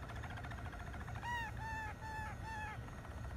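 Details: Malinois canary producing a low rolling trill followed by four repeated mellow, arched notes about a third of a second apart, with a steady low hum behind.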